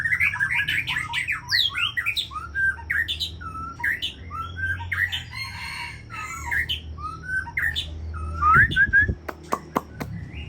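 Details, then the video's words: White-rumped shama, Aceh type and champion breeding bird, pouring out varied warbled and chirping phrases with quick swoops, ending in a whistle and a few sharp clicks over a low hum. "Murai Aceh"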